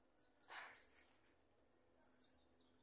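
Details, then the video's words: Goldfinch gradually starting to sing: a quiet run of short, high twittering chirps and thin whistled notes, clustered then spaced out, with one brief louder rustling burst near the start. "el jilguero de a poquito se va largando a cantar"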